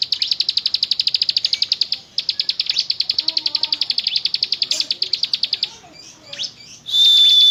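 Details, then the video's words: Bar-winged prinia, or ciblek gunung, singing full-voiced in the 'ngebren' drilling style: two long bursts of rapid, high, ticking notes, about four per second, then scattered softer chirps and a loud steady whistle at the end. "Burung Ciblek Gunung Gacor nembak Ngebren"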